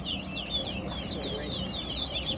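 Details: A Chestnut-bellied Seed-Finch (towa towa) singing in a bird song competition at Guyana National Stadium pours out a fast run of sweet, slurred whistles, while a voice counts its songs over a low murmur.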